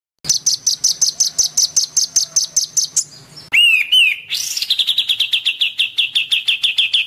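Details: An agitated white-rumped shama in full song for training other birds: an evenly repeated high rattle, then a few looping whistled phrases, then a lower steady series of rapid clipped notes.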